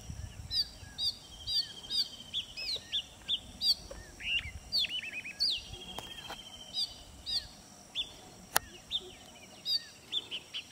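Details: An Oriental magpie-robin sings to his mate, trying to impress her: a varied run of clear, whistled phrases, short and sweet, rising and falling, about twice a second, over faint background noise.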